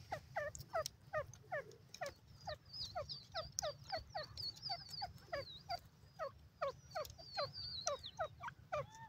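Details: Francolins (teetar) of Lotha, Irani and Dakhani types calling: rapid repeated short descending notes from several birds at once, overlaid with thin high whistled slurs and steady low hum in the background.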